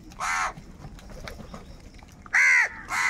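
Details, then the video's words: Crows squabbling over food with angry calls: a single harsh caw, a quiet pause with faint background birds, then two loud, grating caws close together near the end. "Different kauwa ki awaz - Angry kauwa ki awaaz | Crow bird unity anger and sound for food"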